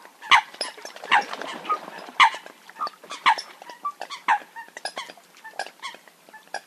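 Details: Eurasian coot, real hunting call: loud, abrupt, nasal notes repeated roughly once a second, mixed with quieter clucking chatter in the background.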